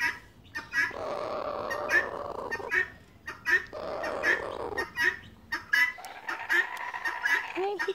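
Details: A wild laughing kookaburra gives a low, raspy purring churr in roughly one-second bursts with short pauses while being gently petted by hand in the morning; a person speaks softly nearby.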